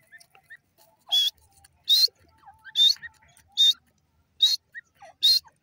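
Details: Grey francolin, known locally as irani teetar, gives six loud, shrill, high-pitched calls at intervals under a second, with faint chirps from small birds in between.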